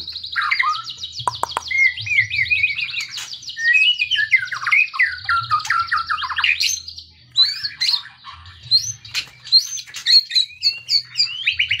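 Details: Kretekan-style song of a white-rumped shama, meant to stir and tutor other birds: a rapid string of buzzy high ticks, then looping slurred whistles that drop and rise, ending in scattered sharp notes.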